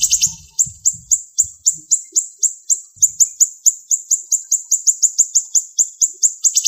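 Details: Siri-siri bird with sharp, close-spaced song bursts: an unbroken stream of very high, slurred chips that speeds up to about four per second, with soft low thuds at the start.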